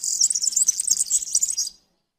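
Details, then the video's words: A European serin sings a rapid, jingling stream of very high, buzzy, glassy notes, run together without pause for nearly two seconds. "تغريد طائر السمريس/ البسبوس (الزخنين) chant du serin cini, el verdecillo"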